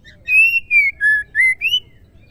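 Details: Song of a female white-rumped shama, used to trigger singing in males: five ringing whistled notes about a third of a second apart, stepping down from a high level tone to a lower one, then climbing back with two rising slurs.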